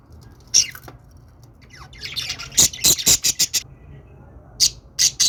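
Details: Budgerigar sounds: a single sharp chirp, some softer scratchy twitters, then a cluster of loud rasping chirps near three seconds, a lull, and a few final squeaky notes.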